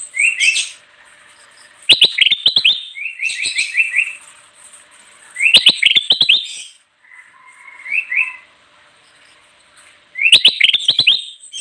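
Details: Bulbul in full song, used to attract wild birds: loud chattering bursts with sharp clicks recur every few seconds, alternating with runs of short rising whistles and one lower, softer whistled phrase.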